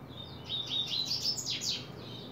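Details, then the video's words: Double-collared Seedeater opening song, July 2024: sweet whistled notes at a steady pitch, then several fast downward-slurred buzzy strokes in quick succession, low hum underneath. "coleiro abrindo canto"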